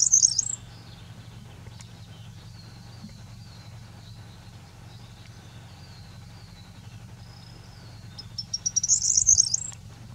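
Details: A corn bunting singing at Grimshög gives its brief, high jangling song, like shaken keys, twice about eight seconds apart, over thin whistles from another bird and a low rumble.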